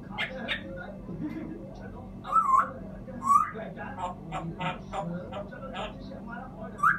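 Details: African grey parrot mixing speech-like chattering syllables with three quick whistled slurs, the last one rising sharply at the very end.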